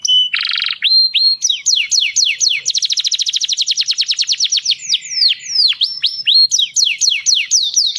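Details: Singing canary, described as mating song: a buzzy rasp opening, then rapid trills and repeated swooping whistled notes, a long fast rattle in the middle, ending with quick descending slurs.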